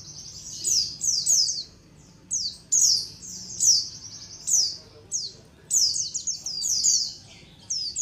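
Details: White-eye (pleci) colony calls used as a lure: bursts of high, thin, downslurred chirps in clusters about every half second to second, separated by brief quiet spells.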